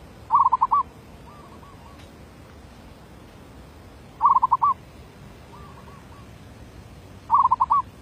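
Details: Decoy zebra dove singing in derak labuh style, repeating a short rapid burst of rolling coos about every three seconds, with fainter answering coos between the bursts.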